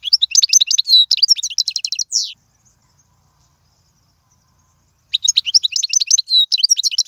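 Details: Goldfinch song for teaching fledglings: a burst of rapid, high twittering with a buzzy drop at its end, nearly three seconds of silence, then the jingling song resumes.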